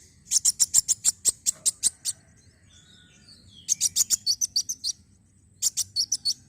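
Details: Black sunbird singing, recording meant to trigger song in other birds: a fast run of piercing high chirps, then two shorter bursts with a twittering trill after a quiet pause.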